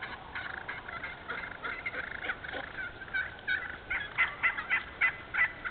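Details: Wild turkeys in an open hardwood-savanna stand in Moore County, North Carolina, giving a rattling gobble and a jumble of raspy notes, then a quick series of clipped, evenly spaced yelps, about one every half second.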